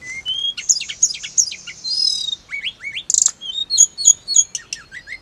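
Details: Hill blue flycatcher song played to get caged birds to answer quickly: rising whistles, busy high chirps and a rasping burst, followed by regularly repeated clear falling notes.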